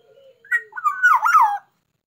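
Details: Black-naped oriole song: a soft low whistle, then a short fluty phrase of rich, slurred, rolling notes lasting about a second, in a quiet setting.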